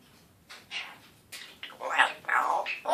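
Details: A one-year-old male African grey parrot, newly talking with a still-raspy voice, utters a short run of breathy, rough speech-like sounds that grow louder toward the end.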